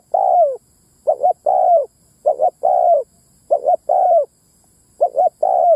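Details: Spotted dove cooing as a ground lure to attract male and female birds: brisk phrases nearly every second, paired short coos then a longer downward-sliding coo, loud and clean against silence.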